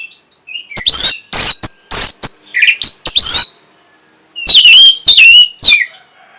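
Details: Loud, varied orange-headed thrush song for stimulating breeding readiness and answering: rapid series of strong harsh notes and bright rising and falling whistles in dense phrases, a brief pause, then more forceful whistled slurs.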